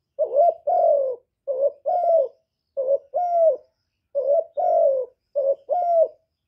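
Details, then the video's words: Spotted dove used as a decoy, with calling, urging and cooing phrases to excite other doves. Four two-part phrases: a brief wobbling coo followed by a drawn-out, slightly descending coo, in a clean, quiet recording. "Cu gáy hạp bổi {GÁY GỌI+THÚC+KÈM+GÙ khống} kích bổi hiệu quả. Cu đất gáy, tiếng cu cườm."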